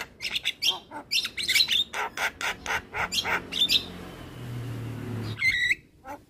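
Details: Black-winged starling calling, played as therapy for a stressed starling that has stopped singing: a series of harsh squawks and chattering notes with a few clear whistles, one longer whistle near the end, and a low hum in the background.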